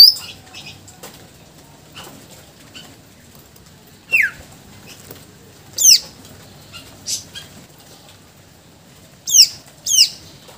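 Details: A greater green leafbird singing its full repertoire, used as a lure and tutor recording, gives loud, sharp whistles that swoop steeply downward one to two seconds apart, with soft high chirps between them.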